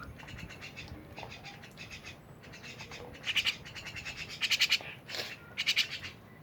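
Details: Lively mynas: scattered faint harsh chatter, then louder bursts of rapid raspy buzzing notes in short clusters after the third second, with a few thin whistles between.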